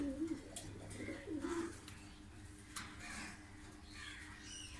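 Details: A Lahore pigeon, blue bar-less breed, gives a few soft, low, throaty coos in the first two seconds, then falls quiet over a steady indoor hum.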